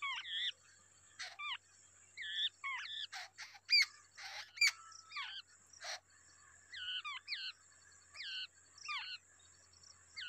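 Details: Wild babbler with two babies at feeding time: scattered squeaky, wavering notes and quick falling whistles, loosely repeated about once a second, with a few sharp clicks.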